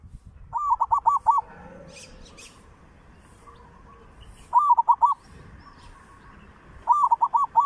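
A zebra dove gives three bursts of quick, rolling, stuttered coos at a mid pitch, a few seconds apart. Faint distant chirps and a low hum sit underneath.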